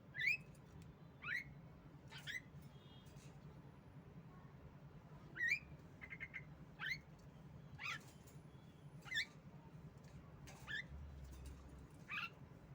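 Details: Female Javan myna used as a lure to get stuck birds singing: a series of about nine sharp, scratchy, downslurred squawks at irregular intervals of one to two seconds, with a faint low hum underneath.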